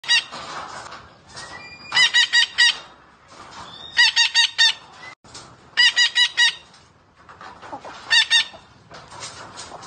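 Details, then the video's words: Parrot vocalizing: bursts of four to six harsh, evenly spaced, buzzy harmonic notes roughly every two seconds, separated by softer chattering between bursts. "Parrot talking sounds part 2"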